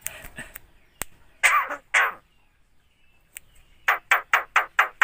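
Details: Javan myna mimicking human speech and coughing: a few harsh, husky bursts, a sharp click, then a quick series of six rough, cough-like pulses in an even rhythm near the end, in a quiet indoor setting.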